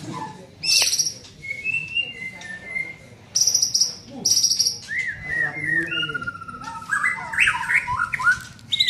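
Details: Young white-rumped shama being trained, giving scattered high thin notes and buzzy trills, then clear falling whistles and a quick jumble of rising slurs toward the end.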